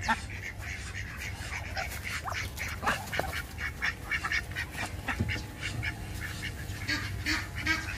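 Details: Ducks giving a busy run of harsh, nasal quacks, many short calls overlapping and tumbling over one another throughout, over a steady low rumbling hum in the background.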